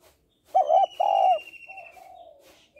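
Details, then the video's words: Spotted dove hen calling to draw males: two strong coos, then a long, quieter, sliding coo, over a continuous high thin whistle. "Cu gáy mái kích trống"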